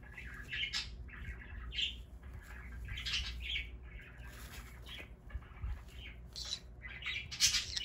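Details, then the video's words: Pet green-cheeked conure kept indoors in Aichi, Japan, screaming while playing: harsh, grating squawks repeated irregularly through the clip over a low background rumble. "A conure screams while playing"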